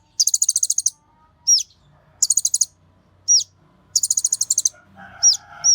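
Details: Lure recording of an excited Kolibri Ninja sunbird meant to trigger others into song. Three quick high stuttering trills, each answered by a single hooked whistle, with faint lower chatter near the end.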